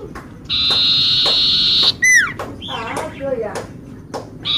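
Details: Common iora singing hard, recorded for luring: one long flat whistle of over a second, a sharp downward sweep, then a run of wavering lower notes before the whistle begins again.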